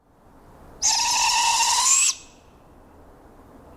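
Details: A juvenile Barred Owl fledgling gives a single harsh, hissing screech lasting just over a second, broad and raspy with a faint rising edge, over a faint background hiss; this screech carries far in forest.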